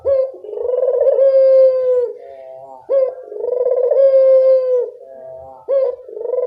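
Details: Dove calling, recorded to prompt a reluctant dove to sing. Mellow coos run almost back to back, each a short rising note into a long, even tone that fades into a quieter, lower murmur, repeated about every three seconds.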